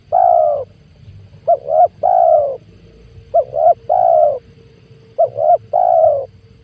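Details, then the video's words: Spotted dove call from 2022, used to lure wild doves into traps: a long coo opens, then three regular phrases of a short double coo and a long level coo, evenly spaced and loud above a quiet hum. "PANGGILAN TUKUKUR PIKAT 2022 COCOK BUAT PANCINGAN TEKUKUR LIAR"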